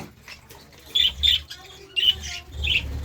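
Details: Budgerigar in the morning, giving short high chirps in pairs with brief pauses, over low background hum and faint rustling.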